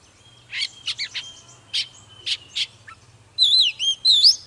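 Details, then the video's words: Oriental magpie-robin recording used to excite other birds into song: soft scattered chirps and clicks, then a loud run of rich warbled whistles with twisting slurs in the final second, over a steady low hum. "Chòe than HÓT MÚA || KÍCH LỬA || Kích chòe than hót căng"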